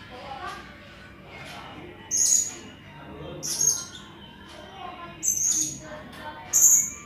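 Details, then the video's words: Blue-crowned hanging parrot, used as a tutor recording for songbirds, gives thin, very high, sharp squeaky notes, four short bursts spaced a second or two apart, over a faint background hiss. "Masteran burung serindit"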